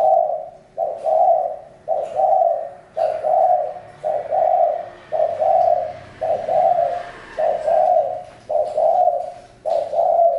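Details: Spotted dove giving a steady series of low, mellow coos, each note split into two soft parts, repeated roughly once a second for about ten notes with brief quiet gaps between.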